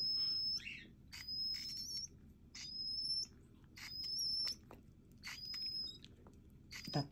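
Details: Pet monk parakeet singing to lull a baby parakeet to sleep: clear high whistled phrases, each about half a second, steady or slightly rising, repeated roughly every second and a half, soft and indoors with faint background hiss.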